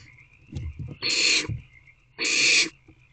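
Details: Nestling barn owls in a nest box at 10:26 pm on 3/5/24 produce two loud, hoarse hissing bursts about a second apart, preceded by low bumping and scraping as they wriggle; a faint continuous high tone sits underneath.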